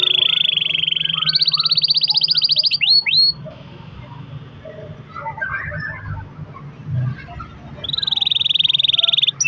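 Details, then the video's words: Canary singing long rolls to encourage other canaries to sing: rapid even trills that rise in pitch, a few swept notes, a quieter gap with background noise, then another steady trill. "kenari gacor ROL PANJANG buat pancingan kenari agar bunyi"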